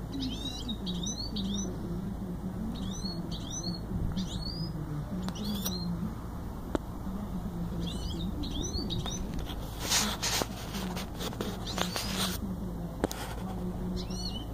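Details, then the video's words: Goldfinch mule singing: short twittering phrases of rising and falling notes in repeated bursts, broken by loud noisy clatter near the end, over a steady background hum and a constant tone. "Goldfinch mule singing"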